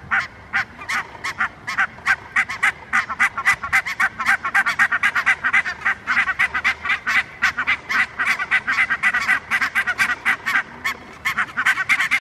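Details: Barnacle geese (Branta leucopsis) give a steady clamour of short, yapping, dog-like barks, several per second and often overlapping, from background birds while one goose rests on the ground preening; Helsinki, Finland, September 2022.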